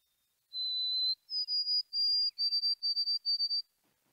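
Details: A White-throated Sparrow whistles its clear, pure 'poor Sam Peabody Peabody Peabody' song: a long steady note, a slightly higher one, then a run of triplet phrases, all on one pitch.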